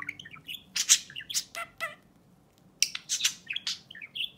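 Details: Pet budgerigar chattering indoors while addressing its owner's fingernail: quick bursts of high, scratchy chirps and squeaks, several sharp bright notes, a short pause midway, then renewed chirping.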